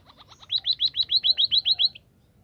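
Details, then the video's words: White-headed munia song, used for training birds to sing readily: soft opening notes, then a fast run of about ten bright, upward-sweeping chirps, evenly spaced and stopping abruptly, against a quiet background. "cara melatih emprit kaji agar cepat gacor"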